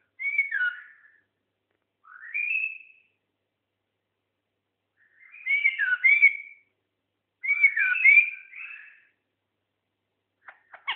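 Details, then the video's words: Seven-year-old White-eared bulbul, said to be rarely found, giving clear whistled phrases of two to four quick up-and-down slurred notes, each phrase about a second long, separated by short pauses, with faint clicks near the end. "White ear bulbul"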